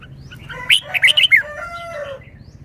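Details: Red-whiskered bulbul kept as a cage bird, singing in the wild-song style and showing its song phrasing: a quick burst of four to five loud, fluty warbled notes, then softer fading tones. Quiet background.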